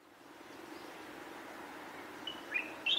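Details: A singing light-vented bulbul of the Taiwanese subspecies (formosae) gives a few short, bright chirping notes near the end, over a steady hiss of background noise.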